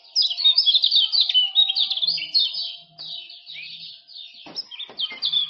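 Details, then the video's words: Male common iora song from Lombok, meant to coax silent birds into singing: dense fast high chattering notes at the start, fading to softer chirps, then a brief renewed burst. "Kecial Kuning Jos Super Speed Tanpa Ngeriwik"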